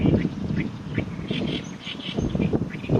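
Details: Oriental reed warbler giving rough, croaking chatter notes in quick succession over three seconds, with gusty wind buffeting underneath.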